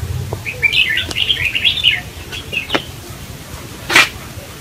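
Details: A wild-caught red-whiskered bulbul (Pycnonotus jocosus), kept caged and sold as a guaranteed male, sings a run of bright, bubbly warbled notes for about two seconds, then a few short chirps; a sharp click and brief noise burst follow.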